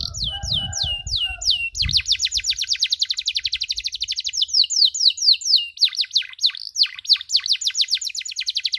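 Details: Canary cuit-cuit chirping made to train other canaries: a few falling whistles, then a long fast trill of short descending notes, ending with deeper swooping chirps; low thumps early on.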